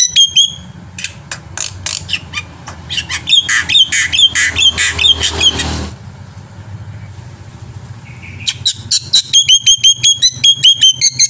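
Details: Black-winged myna in steady, varied song meant to prompt singing in other birds: rapid chattering notes and repeated upslurred whistles, a brief quieter stretch, then a fast regular series of ringing whistled phrases.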